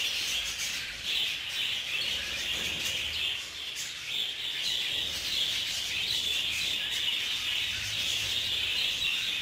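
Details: Budgerigars living together in an aviary, caught fighting, chatter continuously with quick high chirps and squeaky trills, around two notes a second, many voices overlapping throughout.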